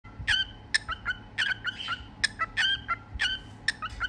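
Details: A cockatiel performs its "cookie song": a run of bright, chirpy whistled notes in short repeated bursts.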